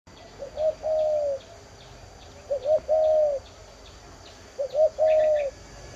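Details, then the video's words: A spotted dove coos three times, about every two seconds: two short soft notes, then a long, mellow, low croo. Faint high ticking sounds come from the background. "Cu gáy đồng diều"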